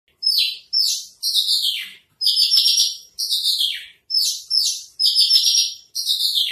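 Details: Javan bush lark (branjangan trotol) in a masteran song recording: high, sweet phrases with downward-sliding slurs and scratchy bursts, delivered in about eight quick separated outbursts.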